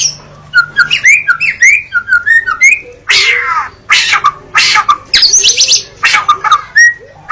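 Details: Singing White-rumped shama: opening series of short upslurred whistles repeated quickly, followed by harsh rasping bursts interleaved with clear whistled notes and high chips.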